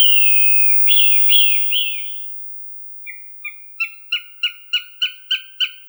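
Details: Hawk cries played to drive crows away, paired with ultrasound crows dislike: a drawn-out high whistle that breaks into three wavering downslurred notes, silence, then a building chain of clipped, piercing repeated notes.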